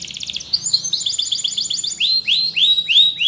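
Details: Training song of a Spanish Timbrado canary, starting with a fast ringing trill, moving into quick repeated chirping notes, then slower upswept whistled syllables given several times in a row over a faint low hum.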